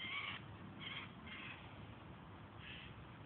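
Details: Hungry Eurasian jays give four short, hoarse screeches spaced unevenly over a few seconds, faint against a constant low rumbling background.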